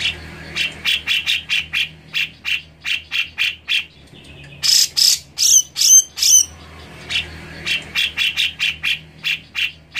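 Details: Grey-cheeked bulbul song played to rouse another bird to sing. Long runs of rapid, evenly spaced chirps about three per second frame a louder middle phrase of harsh bursts with high whistled accents; a soft low hum persists.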